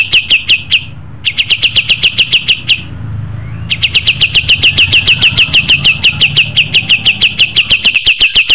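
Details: Pied triller in full song, in three trilled phrases of quick, repeated bright chips, the last one long and unbroken, over a soft low rumble.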